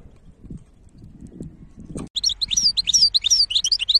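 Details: After two seconds of low background rumble, a goldfinch hybrid bursts into fast, high, sweet twittering with quick rising and falling chirps repeated in a dense run.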